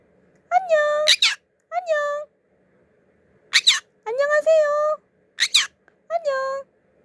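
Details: Young male conure, 14 months old, kept indoors, greeting in Korean with 'annyeong' and 'annyeonghaseyo': drawn-out tonal syllables broken by sharp raspy bursts, repeated several times over a few seconds.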